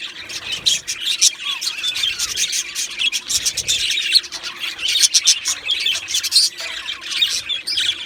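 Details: Two male Australian budgerigars chatter nonstop, a dense stream of rapid high chirps, clicks and warbled notes overlapping throughout, with a few short rising whistles mixed in.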